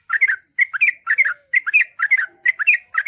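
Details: Loud, close Sooty-headed bulbul in gacor long-ropel song: rich, rolling two-part chirped phrases repeated about every half second, nearly continuous.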